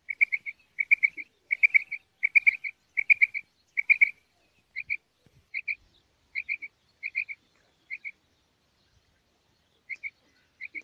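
A female rain quail gives high, sharp paired notes, quickly repeated in bursts at first, then spaced more slowly. No other sounds intrude.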